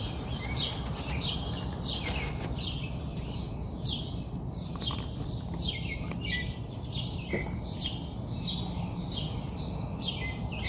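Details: An unnamed bird calling in the early morning in Queens, New York City. It repeats short buzzy, downward-sweeping notes about twice a second, steadily throughout, over a constant low city rumble.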